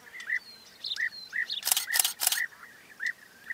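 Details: European bee-eater (Merops apiaster) giving short, rolling 'prrip' calls about twice a second, with fainter higher notes behind and a burst of sharp camera-shutter clicks midway.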